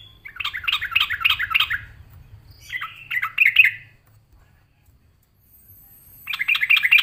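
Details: Yellow-vented bulbul answering a fighting rival emotionally. It gives a quick run of bright, gurgling, chattering notes, a shorter burst after a pause, then a long silence before another bubbly phrase. A faint low hum runs beneath.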